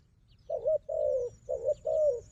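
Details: Fighting wild dove facing a decoy bird gives two low paired coos. A brief clipped note leads into a drawn-out, gently falling one, and faint high chirps sound in the background.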